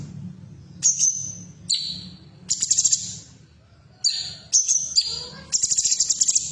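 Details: Female bulbul (cucak cungkok) sound played to stimulate caged birds to sing: bursts of very high, sharp, ringing notes and short trills, repeated every second or so, over a steady low hum.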